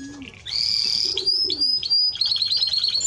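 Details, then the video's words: Timbrado Español canary: a low soft note, then a loud buzzy tour, several rising whistled slides, and a quick bright trill. "Timbrado Español Canario song - Canario Cantado"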